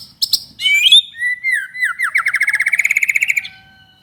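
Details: White-rumped shama singing to provoke other kept shamas into song: sharp high notes, then a varied run of whistled slurs and chatter, ending in a fast, even series of repeated bright notes before stopping.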